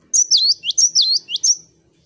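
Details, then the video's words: Java sparrow, called gelatik batu, singing a short phrase of high whistled, sliding notes, about six quick rising and falling syllables in just over a second, then quiet. "Masteran GELATIK BATU Wucit wucit Gacor"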